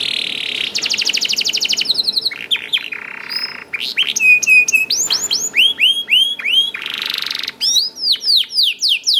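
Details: Juvenile canary singing to stimulate other canaries, with a high trill opening, a low buzzy roll, then rhythmic repeated sweeping whistles at a steady quick pace.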